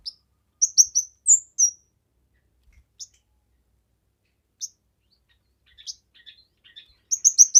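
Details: Actively singing kemade, recorded as a tutor song for training other birds and for luring: a rapid burst of high, sharp chirps, then short separate notes, with a fresh chirping burst at the end.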